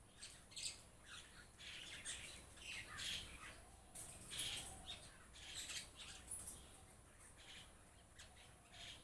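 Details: Flock of mynas chattering constantly: overlapping harsh, scratchy squawks and clicks that rise and fall in uneven bursts, several birds calling at once, with a faint hum underneath.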